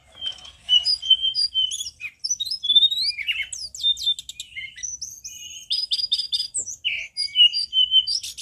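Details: Loudest tledekan gunung song, meant to spur other birds into singing: lively string of high whistles, sharp upward strokes and buzzy trilled notes, continuous and varied throughout.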